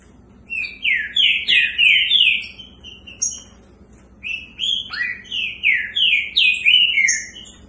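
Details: Two caged green-winged saltators (Saltator similis) in a song contest deliver loud, rich whistled phrases of slurred rising and falling notes in two bursts of a few seconds, separated by a brief pause.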